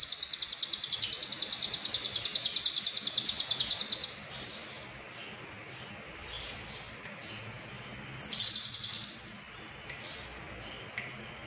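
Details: Konslet-style lovebird song with cililin phrases: a long rapid pulsed trill of about four seconds over steady background hiss, then quieter scattered chirps and one brief trill burst.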